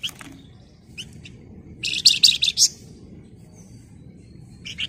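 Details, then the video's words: Flamboyan singing energetically with tight, rattling chatter: scattered short chips, then a loud two-second run of rapid high buzzy notes, a lull, and a final brief chirp, low hum behind. "Burung Flamboyan Gacor Emosi Ngebren Rapat Nyerecet"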